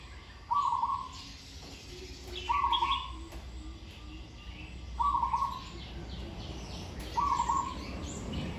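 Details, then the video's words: Trained Zebra dove singing four evenly spaced, rattling, trilled coo phrases, about one every two seconds, with faint chirps of other birds and low background hum. "นกเขาชวาฝึกต่อ เสียงเพราะๆ เดินกลอนดีๆ"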